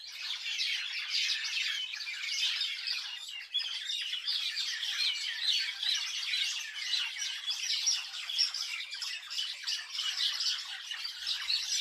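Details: Crowded bird chorus in a village: constant bright chirping and squawky twitters from many birds at once, thick and unbroken for the whole stretch.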